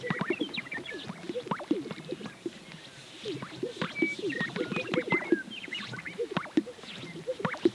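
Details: Many Greater Sage-Grouse displaying together on a lek in central Montana, in the dark before dawn: a steady bubbling chorus of low, hollow plops and gulps, overlapping rapidly, with a few thin higher whistled notes mixed in.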